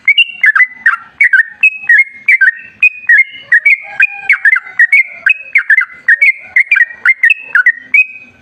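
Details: Sooty-headed bulbul singing a long, energetic ropel style used as a lure to get bulbuls singing: continuous chain of liquid, slurred whistles jumping up and down in quick succession with barely a pause.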